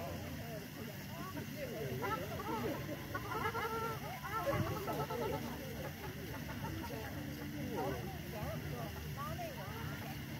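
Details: Several ruddy shelducks on a frozen lake at a water park in Tianjin, China, give overlapping nasal, goose-like honks in bursts over a steady low rumble of distant traffic.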